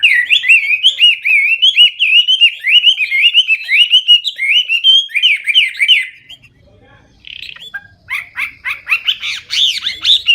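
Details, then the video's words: Strong, clear Hwamei song full of filler phrases: six seconds of fast, zigzagging whistled notes, a short pause with a faint high note, then a rapid, busy burst of rising and falling whistles. "Hwamei/wambi gacor full isian suara keras jernih"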